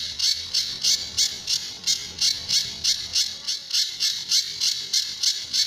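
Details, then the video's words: Sunda bush warbler, locally pijantur, on a training master with the song styles called tembakan and besetan. A steady string of harsh, rasping high notes repeats about three times a second. "Burung Pijantur Gacor"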